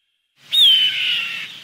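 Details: A single high, shrill hawk scream for scaring off birds. It starts sharply, sags downward, and then fades into a trailing echo.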